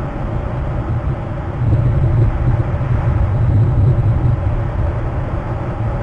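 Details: Heavy low rumble of wind or engines outdoors that swells in the middle, with no animal voices.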